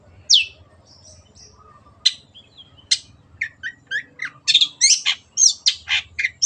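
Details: Vigorous song of a Long-tailed shrike (cendet), recorded for training captive birds: sparse scratchy notes and thin whistles building into a dense, harsh, chattering medley of varied squawky phrases, with faint low hum.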